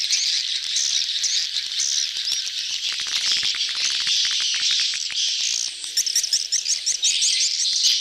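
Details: A busy crowd of swiftlets in mating excitement, a lure recording in the style called "betompok": dense, overlapping high twittering chirps fill the whole stretch, turning into sharper, more separated tweets near the end.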